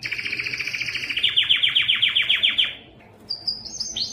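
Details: Yellow canary song with fast trilled notes followed by a series of loud downward-sweeping chirps repeated about four times a second, a short pause, then high whistled notes.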